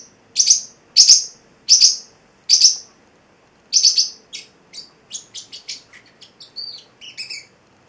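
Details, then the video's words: Young male Celestial Parrotlet, eight weeks old, kept as a pet indoors: five loud, sharp, high chirps about two-thirds of a second apart, then a faster run of softer, varied twittering notes. "the Singing Parrotlet"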